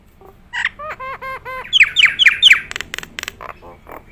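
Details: Singing Nias hill myna in gacor form: four arched, bell-like harmonic notes, then four loud sharply falling whistles, followed by dry clicking bursts, all close and clear.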